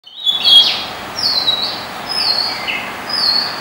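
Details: White-spotted fantail singing at night in Dombivli town, Maharashtra, India: a few clear whistled notes around high pitch, some flat and some gently falling, spaced across the clip over a steady background hiss.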